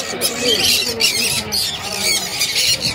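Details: Pet lovebirds at Pallavaram market, a crowd of birds giving continuous shrill, high squawks and chattering screeches that overlap without pause, with faint human voices beneath.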